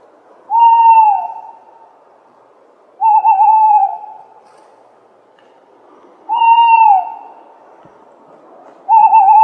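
A tawny owl gives four drawn-out, mellow hooting notes, each about a second long and falling slightly at the end, spaced roughly three seconds apart over faint hiss.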